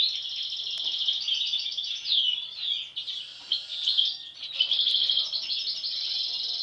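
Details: European goldfinches from a brood of siblings, two showing an abnormal mask from birth; rapid tinkling twitter with rising and falling chirps, a brief dip in volume midway, then another burst of chattering notes.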